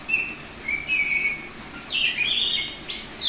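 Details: Semi-tame Bali-type oriental magpie-robin (kacer) singing in the loud, open 'ngeplong' style: long level whistles, then a sliding higher phrase with a scratchy edge, ending in a bright high whistle, with a quiet background.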